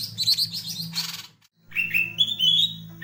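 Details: Green leafbird fanning its tail while singing: a short burst of high chirps, a brief pause, then a rising run of clear whistled notes stepping upward, over a steady low hum.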